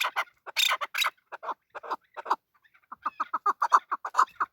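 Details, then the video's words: Male chukar partridge, a local desi bird, giving a few harsh scratchy notes, then a run of short clucking chuck notes repeated several times a second in the second half. "Male chakor voice. Chakor voice. Desi chakor voice. Chakor sound. chakor ki awaz."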